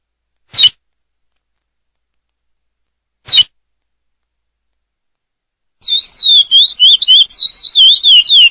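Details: A Chestnut-bellied seed finch (curió) singing the classic 'Praia' song: two sharp clicks, then a fast run of clear, warbled whistles rising and falling, about three or four notes a second.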